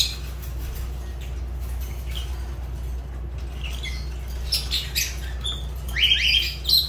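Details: Pet Fischer's lovebird calling: mostly quiet at first, then a cluster of harsh high squawks and rising shrill chirps toward the end, with a constant low hum underneath.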